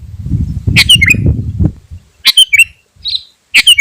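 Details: Sooty-headed bulbul singing to draw in wild birds and stir rivals. Three brief phrases, each a sharp note falling into a short fluty slur, separated by pauses. A low rumbling background fades partway through.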